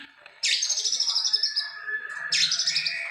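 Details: White-rumped shama in captivity producing two bright high buzzy trilled phrases separated by a lower whistled note.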